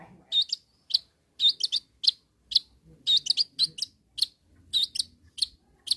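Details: Long-tailed shrike challenging rivals with short, squeaky, high chips, given singly or in quick pairs and triplets with uneven gaps, over a quiet background.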